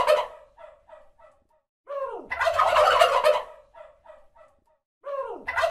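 A turkey gobbles twice, each a loud rapid rattling burst trailed by a few short, fading gulping notes.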